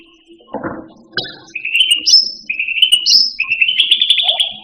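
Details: Cucak rante, the Indonesian grassbird, singing for pet-bird tutoring: after a few rough knocks, a run of trilled phrases rising to sharp high whistles, ending in a sustained fast trill.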